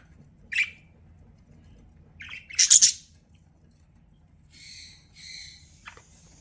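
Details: Pet budgerigar giving scattered short chirps and squawks: a brief high chirp, a louder harsh burst near the middle, then softer buzzy notes toward the end, with quiet gaps between.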